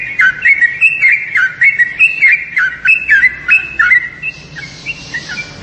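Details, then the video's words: Yellow-vented bulbul giving bubbly, rapidly slurred whistled notes that rise and fall in short phrases, repeated about twice a second, with a brief hiss near the end. "SUARA TRUCUKAN"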